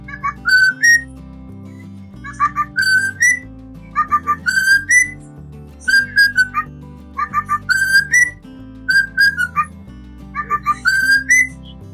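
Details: A pet cockatiel whistles a learned tune, likely "La Cucaracha", in clear, rising phrases repeated every couple of seconds, over soft background music. Clear whistled song like this is said to be typical of males.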